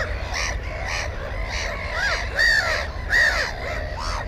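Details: Black-headed gulls calling at a nest with one egg and one chick, GoPro 4 camera: rasping calls pulse about every half second, two louder, strident screeches stand out near the end over colony noise.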